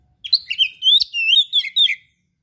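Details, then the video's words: Oriental magpie-robin singing actively, its song full of rare material suited for tutoring: one continuous two-second phrase of rapid, varied whistles and slurred chirps, bright and high, in a quiet setting. "KACER GACOR SPECIAL FULL ISIAN MATERI LANGKA GURU TERBAIK"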